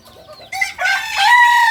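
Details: Kukuak balenggek rooster from Solok, West Sumatra, bursting into a loud, rich crow that rises and then holds a long, even tone, with a faint high whistle just before it.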